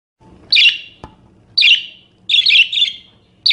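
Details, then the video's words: Pet budgerigar chirping, recorded for use as a tutor sound to teach or prompt other songbirds: harsh, buzzy chirp bursts, some doubled, repeated roughly once a second with a faint low hum beneath. "Suara Kicau Burung Parkit Berbagai Variasi Untuk Masteran atau Pancingan"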